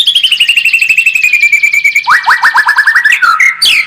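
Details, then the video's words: White-rumped shama lure song played to make a bird more combative: a long run of rapid, repeated whistled notes gliding slowly downward, then a faster series of sharp rising-falling notes ending in high slurred whistles. "SUARA PANCINGAN MURAI BATU AGAR MENTAL SEMAKIN FIGHTER"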